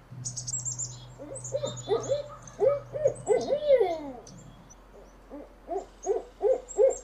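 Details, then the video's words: Owl sound for luring birds: soft hoot series building to louder wavering notes and a downward slide, then a quiet gap and a fresh run of evenly spaced short hoots; low hum at first. "suara burung Hantu untuk memikat burung"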